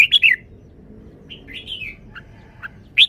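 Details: Red-whiskered bulbul song: a rapid trio of bright whistles opens, followed by a drawn-out warbling phrase, two short clipped notes and a final sharp rising whistle. The background is quiet apart from a low hum.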